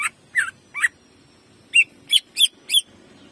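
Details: Greater green leafbird (cucak ijo) jamtrok song for caged-bird training: three slurred chirps, a short break, then four loud, bright notes in quick succession.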